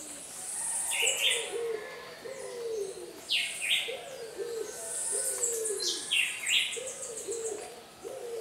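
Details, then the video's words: Scaly-naped pigeon, a common resident of Puerto Rico, vocalizing: low cooing phrases of short slurred notes repeated every second or so, with other birds' high chirps and whistles overlapping throughout. "PALOMA TURCA vocalizando"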